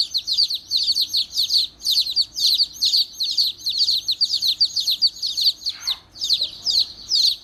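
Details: Angry baby chicks chirping: loud, high, shrill peeps in dense bursts, repeated over two per second, nearly continuous with a brief pause, over a quiet background.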